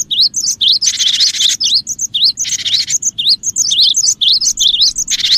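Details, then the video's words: Cinereous tit sounds played to attract other birds: rapid wavering whistles in a steady stream, with two long raspy buzzes inserted between them. "suara pikat Burung gelatik batu gacor dan cocok juga buat pancingan gelatik batu yg susah bunyi"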